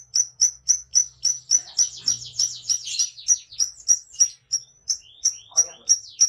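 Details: Lovebird in ngekek song: rhythmic shrill chirps about three per second, interrupted by a tumbling run of quick descending chatter notes, then the regular chirping resumes.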